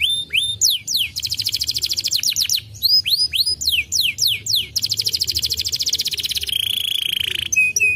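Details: Canary singing to prompt other canaries to sing, a rapid run of rising swept whistles alternating with dense fast trills, ending in a sustained buzzy tone and a few clear whistled notes.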